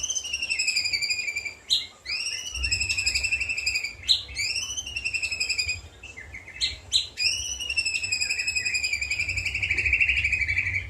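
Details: ['Caged white-rumped shama singing a song filled with imitations of cililin, jenggot and kapas tembak. Long, loud, whistled phrases with rich harmonics, some sliding and some steady, broken by sharp clicks and quick chatter, over a low background rumble.']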